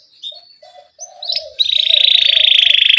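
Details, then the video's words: Vocal canary in a 'ngerol' rolling song aimed at getting young canaries singing: a few soft scattered notes, then a loud, steady, high buzzing roll pulsing evenly to the end. "Pancingan Kenari Gacor NGEROL Cuit CUIT Rekomendasi buat MASTERAN Kenari PAUD agar Cepat BUNYI"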